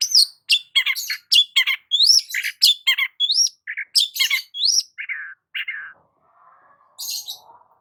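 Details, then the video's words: Varied morning song of a long-tailed shrike out sunbathing, with quick upswept whistles mixed among harsh chirps, a few lower buzzy notes, then quieter soft twitters and one final high burst. "KICAUAN BURUNG CENDET SAAT BERJEMUR DI PAGI HARI"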